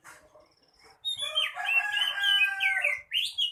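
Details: Oriental magpie-robin, male kacer, singing: faint high notes lead into a loud, grating, harmonic rasp of about two seconds, followed by sharp rising whistles.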